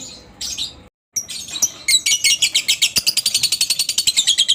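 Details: Lovebird ngekek song, a recording used as a lure to get other lovebirds singing: a few sharp high chirps, a brief silence, then a fast, steady, high-pitched chattering trill that runs on to the end.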